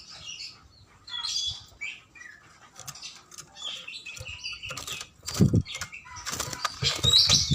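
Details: Kacer, the Oriental magpie-robin, giving scattered bright whistles and scratchy chattering phrases mixed with soft thumping wingbeats and fluttering from the bird moving about.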